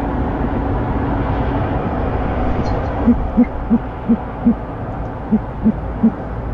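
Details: Male owl at a nest at night, delivering a rat after the female left at 9:32 pm on 3-11-15. A series of eight soft, low hoots comes about three per second, starting midway, over a steady background hum.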